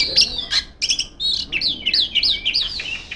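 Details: Oriental magpie-robin female calling out rivals with sustained song: a few sharp chips, then a rapid series of repeated looping whistled phrases, each rising and dipping, about three per second.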